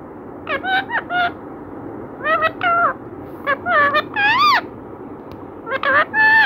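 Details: Talking parrot repeating mimicked words, here in clipped harmonic syllables grouped in pairs and triplets, some with a bent, rising-falling contour, spread across several seconds with quiet gaps, room hum underneath.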